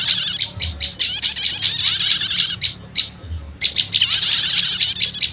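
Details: Bird-trapping lure combining prenjak lumut and prenjak setater prinia calls: bright, rapid trilled chatter broken by isolated loud high chips and a short near-silent gap before the chatter resumes.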